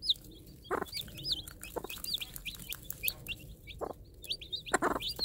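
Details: Tame free-range game hen with day-old Minorca-cross chicks, calling them to bits of food she drops. Rapid high peeping from the chicks runs throughout, with about four low, throaty clucks from the hen.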